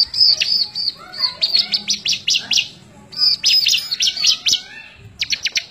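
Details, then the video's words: Lively bar-winged prinia song meant as a tutor recording for other birds, May 2017: continuous high whistles broken by quick stuttering clicks and chips, with a short pause before a fresh burst near the end. "CIBLEK GACOR COCOK BUAT MASTERAN"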